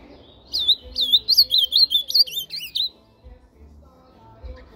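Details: Brown-plumaged ultramarine grosbeak singing one rich, warbled phrase of quick, slurred whistles lasting about two seconds, over a faint low hum.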